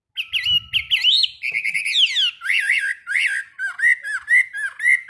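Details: Morning song training of a caged Chinese hwamei: lively, varied whistles, some fast and trilled, others dropping in steep slurs or looping, repeated in uneven bursts with a brief low thump early on.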